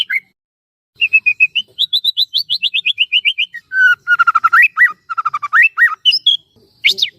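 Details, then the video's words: White-rumped shama (murai batu) singing as a trainer bird to spur other shamas, varied song of short whistled notes repeated in quick runs, lower slurred phrases and a final high rising whistle. "burung murai batu gacor AMPUH buat PANCINGAN dan MASTERAN murai batu agar bunyi GACOR EMOSI"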